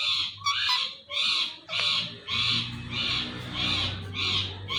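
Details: Indian ringneck parakeet, a green talking parrot, screeches loudly over and over: eight or so harsh, raspy squawks, each about half a second long, coming at a steady beat of roughly one every 0.6 seconds, with low room hum beneath.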